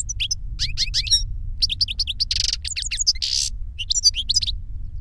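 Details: Older goldfinch singing to teach a younger goldfinch: rapid high twittering phrases with repeated chirps broken by two dense buzzy bursts around the middle, over a steady low hum.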